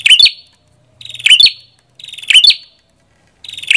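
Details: Red-headed prinia song, four loud buzzy phrases, each a fast rattle ending in a sharp bright note, spaced about one second apart in a quiet setting.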